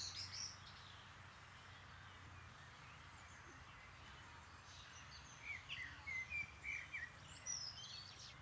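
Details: Common redshank, a rare, very wary visitor in Rhineland-Palatinate, Germany, giving a quick run of short, high piping whistles in the last few seconds over a steady low rumble of wind or distant noise.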